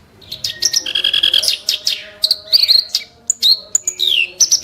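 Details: Kerak basi bird giving harsh, sharp bursts: a buzzy rattle, then scattered whistled notes, some sliding downward, mixed with rough chattering.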